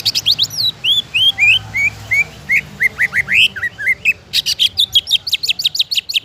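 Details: Caged greater green leafbird song for prompting other leafbirds to sing: slurred whistles descending then rising in a run, followed by a fast burst of sharp, high chattering notes.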